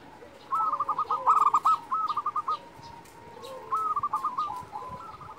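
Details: A local zebra dove calls in two phrases of quick, rolling trilled coos, each trailing off into fainter low notes, the second after a three-second gap.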